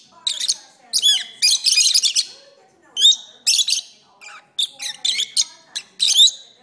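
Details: Pet lovebirds singing in a long session that lasted about thirty minutes; bursts of sharp, high chattering chirps and squeaky rasping notes in quick clusters, separated by brief pauses, with a few faint lower squeaks between.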